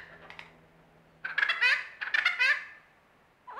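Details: Lyrebird in a mimicry performance: two clusters of harsh, rattling, harmonically rich bursts, each about half a second long and separated by a short gap, over quiet background.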